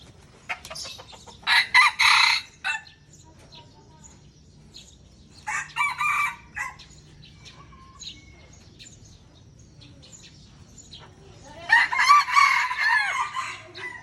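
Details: Aceh red junglefowl, pure bird versus F1 hybrid in a crowing contest, Indonesia: three short, hoarse crows spaced several seconds apart, the last one more tonal and drawn out, with quiet gaps between.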